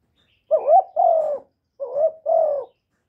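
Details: Spotted dove in a direct recording made to stimulate other kept doves, giving two coo phrases about 1.3 seconds apart. Each is a brief upward-bending hoot joined to a drawn-out, level, gently falling coo, with silence around them.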